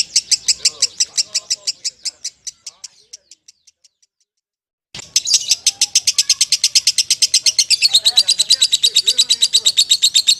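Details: Champion lovebird chirping in quick high bursts that thin out and stop, a second of silence, then resume faster and denser in a long, insistent trill of repeated notes.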